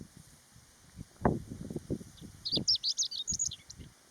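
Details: A Chestnut-eared Bunting (Emberiza fucata) on the Utsukushigahara plateau, Nagano, Japan, in early summer (15 June 2020) gives a short, rapid jumble of high, scratchy notes lasting about a second and a half, over low rumbling and faint hiss.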